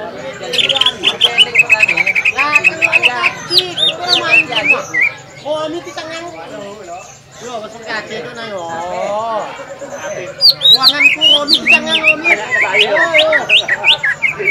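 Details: Green leafbird in full song at a bird contest practice on Semparuk field, used to provoke rival birds. Rapid strings of piercing whistles and chips open and close the passage, with a lull filled by people talking.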